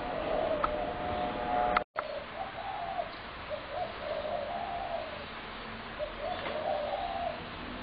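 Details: Many spotted doves near houses, fed by a neighbour and calling nearly nonstop through the day: muffled low coos in repeated phrases, a brief dropout, constant background hum.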